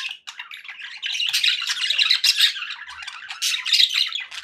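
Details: Indoor budgies in a cheerful mood give a continuous buzzy warble, high chirps and squeaky whistles layered over one another, growing louder after the first second.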